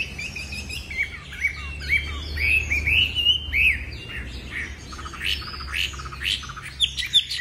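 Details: Caged Chinese hwamei, a tame songbird, giving rising whistled notes that climb in a sequence, then scratchy chatter and squawky bursts, with low rumbling noise underneath.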